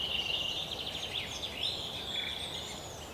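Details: Eurasian three-toed woodpecker chicks in a nest hole in a forest park in Yekaterinburg on 10 June 2018 give a continuous high, buzzy chatter of rapid overlapping notes over faint hiss.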